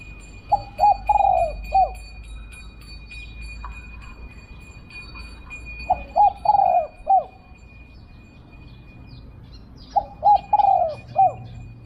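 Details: Spotted dove, Thailand, answering during decoy luring, repeating its soft three-part coo phrase: quick notes, a long rolling coo and a short falling end, three times about every four seconds, with a faint steady whine.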